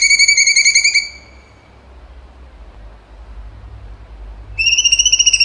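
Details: Cucak cungkok: the end of one pulsed, slightly falling whistle, then a pause of over three seconds, then a new rapid buzzy trill, loud and overtone-rich.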